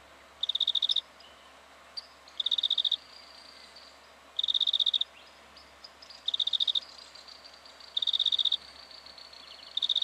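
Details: Black-fronted dotterel, Victoria, Australia, October 2011, repeating short rattling bursts of high, clicking pips roughly every two seconds, five or six bursts in all, with quieter thin notes in between.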